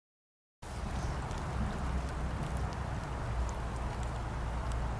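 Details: A brief silence gives way to a continuous, loud, low rushing roar like wind or surf, with no clear animal call.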